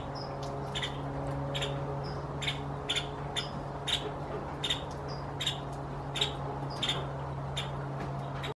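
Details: Near dusk in spring, a Nuttall's woodpecker seeking attention repeats crisp, sharp call notes at an uneven pace, roughly two per second, with a steady low drone underneath.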